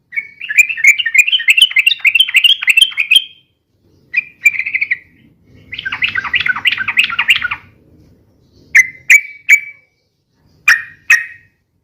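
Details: Lively, long ropel-style singing of a sooty-headed bulbul: a three-second fast wavering warble, a short burst, a denser chatter over faint low noise, then four crisp separate notes.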